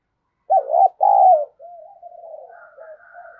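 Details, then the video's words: Spotted dove used as a decoy, cooing to attract wild birds: a strong, low two-part coo followed by a run of soft, murmured coo notes, with a faint higher tone near the end. "Chim Cu Mồi Thúc Gù + Gáy Gọi"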